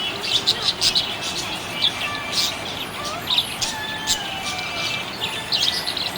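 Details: Happy budgerigar giving sharp, high chirps in quick pairs and triplets, interspersed with sliding whistled notes and gentle scratchy chatter.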